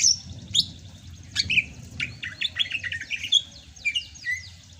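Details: Sumatran greater green leafbird in rainy season song: scattered sharp high notes followed by a quick chattering sequence of short whistled and buzzy elements, over a low background rumble.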